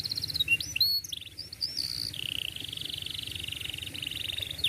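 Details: Canary song used to teach young birds: a few quick swooping notes and chirps, then a long continuous rolling trill held at one pitch for several seconds.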